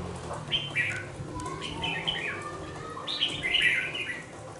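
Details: A two-month-old red-whiskered bulbul in a cage utters several brief chattering phrases of slurred, rising and falling notes. The last burst is the loudest and fullest, set over a faint steady hum.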